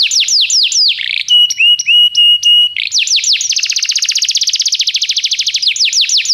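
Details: Tutor song of a canary for training a young bird: downslurred whistle notes, a few long flat whistles, then a very fast buzzy trill ending in repeated slurred notes.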